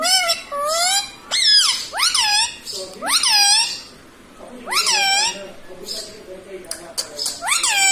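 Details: Talking pet parrot, said to repeat "Mummy" and "Mitthu", indoors; a string of loud, strained, speech-like syllables that rise and fall, in bursts of two or three with short pauses between.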